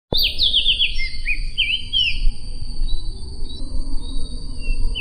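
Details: Opior, a white-eye from Sumbawa, recorded as song-tutoring material: quick high twittering phrases of slurred whistles, rising and falling, packed into the first two seconds, then sparser notes over steady background hiss and a constant high tone.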